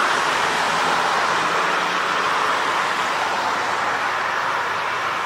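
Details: Continuous loud rushing noise like road traffic or a train, even throughout, with no calls from any animal.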